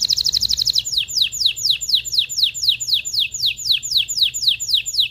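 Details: Excited canary song intended to prepare females and males for mating: a brief fast trill gives way to regular downward-sweeping notes repeated about four times a second.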